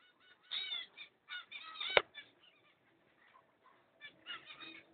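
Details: A pair of cockatiels recorded on 5 June 2011, giving harsh, screechy calls in short bursts, several in quick succession near the start, a loud click at two seconds, then softer scattered chatter.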